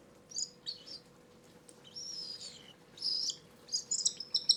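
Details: Seven hand-fed cockatiel chicks during their second feed of the day, before settling for the night, give high, raspy, buzzy begging squeaks in short bursts, some stretched and wavering, as a feeding reaction, over a faint steady hum.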